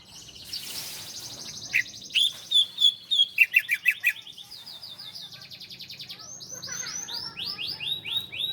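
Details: Bar-winged prinia, a master recording for training cage birds: a long varied song of high sustained tones, bright chirps and a rapid pulsing series, then a softer stream of repeated chirps.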